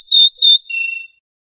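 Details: Ortolan bunting song from a birdsong CD: a quick run of clear, ringing high notes, then a lower, steady whistled note held near the end, with no other sounds.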